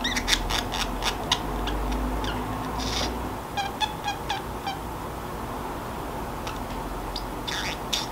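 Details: Sleepy pet Pacific parrotlet talking to itself in a quiet room: bursts of rapid, scratchy clicks and chirps in quick clusters, pausing, then resuming with brief squeaky notes over faint background hum.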